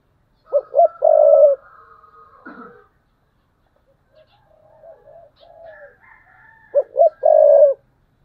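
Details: Decoy spotted dove cooing in the thúc bổi style, recorded in 2022: two cooing phrases, each of two short low notes and then a long steady coo. Faint higher whistles fill the gap between them.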